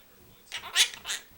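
A Quaker parrot utters three quick, raspy, high-pitched syllables of mimicked speech as a greeting.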